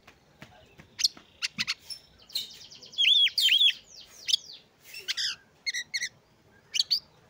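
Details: Oriental magpie-robin song used as a prompt to get a sluggish, reluctant bird singing: a varied run of sharp high chirps, rapid rattling trills and whistled notes at irregular intervals, with loud bursts in the middle.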